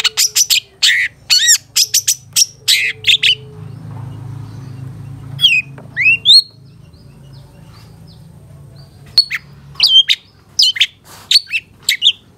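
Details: Long-tailed shrike song used as a training recording for caged birds, full of fill-in phrases in the steady one-perch style. Bursts of sharp, rapid, high chirps and rising whistles, then a quiet pause with a low hum, then more chirps.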